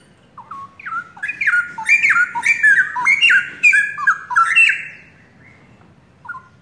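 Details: Straw-headed bulbul, a young forest-origin pair long kept by its owner and singing actively: loud, rich, bubbling whistled phrases that rise and fall for about five seconds, then a pause and one short closing note.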